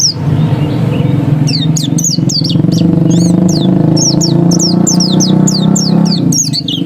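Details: Ngotot song of a dakun oriental white-eye: repeated high, falling whistled notes in quick clusters, heard over loud, constant low engine-like rumble.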